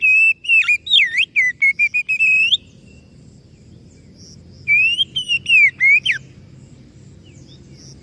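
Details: White-rumped shama, called kacer, singing bursts of loud, clear, rapidly varied whistles with sharp up-and-down sweeps and quick notes, two phrases separated by a few seconds of quiet low background hum.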